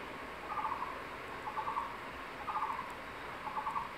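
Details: Crested goshawk, a male, at its secondary-forest nest, summoning his mate to a freshly caught tree lizard. Four clipped, rapid-fire bursts of notes sound about a second apart.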